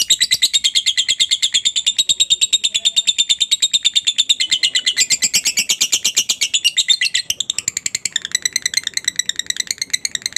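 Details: Lovebird giving a long ngekek chatter, used as a lure to prompt other lovebirds to answer: a fast, unbroken run of sharp, high chirps about three per second that shifts to a choppier rhythm near the end.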